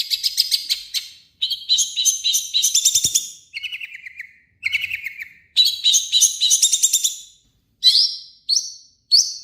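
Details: Harsh, fully loaded song of a Long-tailed shrike, played to provoke other shrikes into singing: varied high chattering phrases, buzzy falling notes and sharp whistled calls, separated by short silences.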